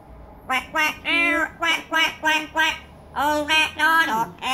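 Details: Pet yellow-naped amazon singing indoors: a run of loud, nasal, harmonic syllables, some clipped and some drawn out, about ten notes in two quick bursts separated by a short pause, with a faint low hum behind.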